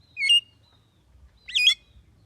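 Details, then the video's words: Javan myna said to be able to talk: two short, bright notes about a second apart, each with a sharp rising-and-falling inflection and a strong harmonic ring, over a quiet background. "JALAK KEBO BISA NGOMONG"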